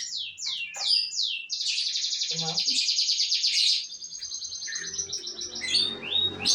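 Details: An F2 canary sings several fast downward-swooping whistles, then a long rapid rattling trill, continuing into softer high chattering notes and a few more swoops.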